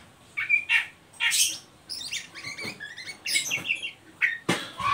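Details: Oriental magpie-robin in ngeriwik style, meant to stimulate young birds to sing; choppy squawks, rapid chattering notes and short whistles come in irregular bursts, ending with a loud rasping burst.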